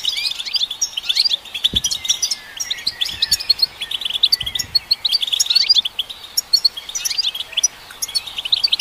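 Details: Song of a European goldfinch, performed to stimulate goldfinches, heard as a continuous tinkling chatter of quick high chirps and trills, broken by a few soft low knocks.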